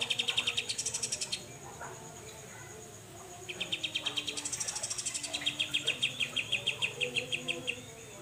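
A grey-cheeked bulbul gives fast, harsh rattling bursts, about six pulses a second, high and buzzy, in two long runs with a brief pause between.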